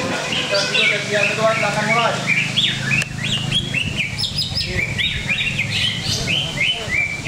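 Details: At a songbird contest in Cikeas, a greater green leafbird sings after a stretch of talking: fast runs of short, sharply inflected whistled notes, repeated about three times a second, with people murmuring underneath.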